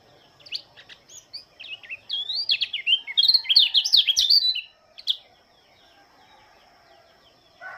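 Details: Morning song of an Oriental white-eye from Lombok. Sparse high chirps lead into a two-to-three-second burst of quick, sweet, zigzagging twitters, followed by a single sharp note and then quiet. A rooster is faintly heard at the close.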